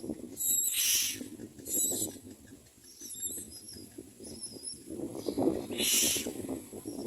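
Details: Myna young calling while fed: a few short harsh hissing bursts with brief thin squeaks between them, over steady rustling and scraping sounds.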